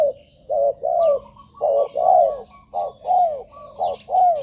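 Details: Spotted dove lure call for wild doves at ground, branch or decoy cage; low coos in pairs, a short flat note then a longer downward glide, about once a second, with faint twittering from small birds.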